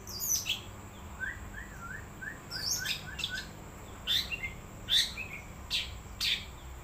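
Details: Wild long-tailed shrike song: a short series of soft rising whistled notes, then loud, scratchy, noisy chirps and squeaks at uneven intervals, a faint high whine running throughout.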